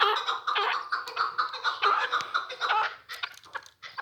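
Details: Newly acquired chukar partridge producing continuous throaty chuckling, clucks running together at first and then thinning into separate notes before fading out.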